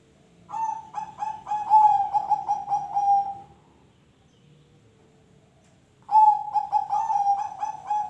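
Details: Zebra dove song, meant to stir other birds into singing. A long phrase of about a dozen rapid, pulsing coos on a steady pitch, a few seconds of silence, then another phrase begins.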